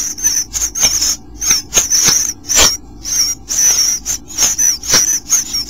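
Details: Bluebirds at a nest on day 8: thin high hissing, wavering notes repeated in quick bursts about twice a second, with soft knocks and rustling in the nest.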